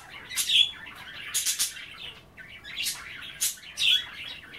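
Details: Budgerigars at bath time with kale in their water chatter steadily: soft warbling threaded with harsh buzzy bursts and two thin squeaky whistles.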